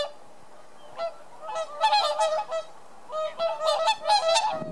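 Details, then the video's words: Wintering whooper swans in Holland, arrived from Scandinavia: several birds give loud, bugling, trumpet-like honks together in two bursts. "Sound of the Whooper"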